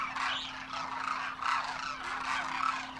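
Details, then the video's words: A large flock of wintering Demoiselle cranes, first-year juveniles with their adult parents, takes off at Khichan village, Rajasthan, India, trumpeting in flight: a dense overlapping chorus of nasal, rolling calls over a steady low hum. "Demoiselle Cranes darken the sky, trumpeting in flight"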